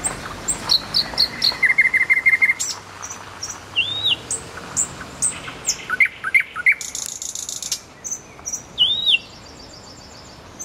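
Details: Common nightingale singing beside a road: varied phrases of rapid repeated clicks, a quick series of sharp notes, rising and falling whistled slurs and short buzzy trills, separated by brief pauses, over a faint low rumble.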